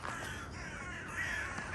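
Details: Crows calling loudly while circling in large numbers over the old estate grounds of Korobkovsky garden, Moscow; harsh, hoarse caws overlap throughout, with a louder caw near the end.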